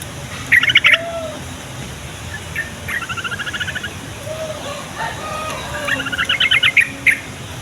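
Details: Song of a yellow-vented bulbul, played to make other bulbuls call back and to attract wild birds: short bubbly chatter bursts and a longer, evenly pulsed trill, with lower soft whistles and farmyard-like sounds between them.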